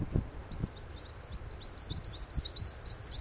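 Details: New Holland honeyeaters in Kamay Botany Bay National Park give a continuous, very high, rapid chattering of sharp chips, with a few low thumps of wind or handling underneath.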